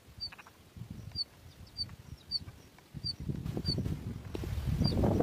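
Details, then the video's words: Two hungry bush lark chicks begging in the nest: short, thin, high chirps repeated about every half second, with low rustling and rumbling below that grows louder toward the end. "Singing bush lark birds The two chicks in the nest are very hungry."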